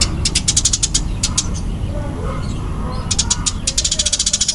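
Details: Eurasian tree sparrow, fighting type, calling fast and densely: quick trains of high chirps, then a quieter pause near the middle, then another rapid chirp run. A low hum runs throughout.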